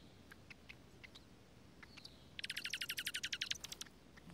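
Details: Dark-eyed junco pair tending nestlings at a nest in a strawberry patch in Washington State, in pouring rain: scattered high thin chips, then a quick, even, musical trill of about twenty notes in just over a second, over quiet hiss.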